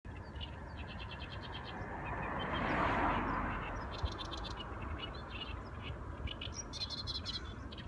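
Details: Several birds chirp in short, bright repeated notes high in pitch, overlaid on a steady low rumble that swells to a broad whooshing surge near the middle before settling again.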